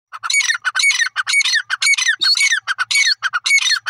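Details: Grey francolin calling, a steady run of harsh, squawking bursts with bright ringing overtones, roughly two per second, loud and close with no other sounds.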